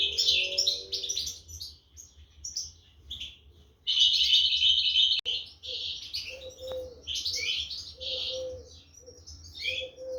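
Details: European goldfinch chicks begging during feeding by parents, 2023; bursts of shrill twittering with quieter gaps, plus repeated low hollow coo-like tones in the background.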